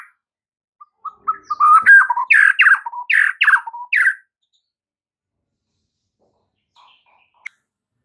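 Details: Caged-bird training song of the white-rumped shama, meant to make mute birds sing and get fired up; a burst of about a dozen quick, punchy whistled notes over three seconds, followed by near silence and a click.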